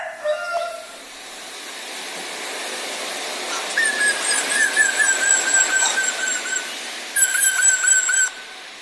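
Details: Black drongo, called srigunting kantil hitam or srigunting bukit, a male bird singing energetically as a lure to set other birds singing; clear, sustained whistled notes near one pitch, some slurred downward, in phrases, over steady hissing background noise.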